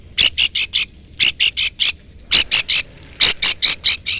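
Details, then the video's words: Long-tailed shrike calling a rival, used as a lure to provoke a reply: loud, harsh, buzzy chattering notes in tight bursts of three to four, the bursts repeated about once a second over a quiet background. "pancingan cendet gacor full isian CUITAN MEMANGGIL LAWAN Ini ahlinya bikin burung cendet Nyaut"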